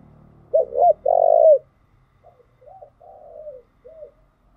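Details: Cooing from a spotted dove decoy bird used to excite newly caught birds: two short coos and a loud drawn-out coo, then several softer falling coos, with a faint low hum beneath.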